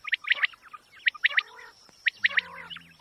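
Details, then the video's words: Quail giving rhythmic three-note calls, bright clipped notes in tight groups spaced about a second apart, with softer twittering and a faint high hum underneath; recording intended as a hunting lure. "QUAIL SOUND very original sound"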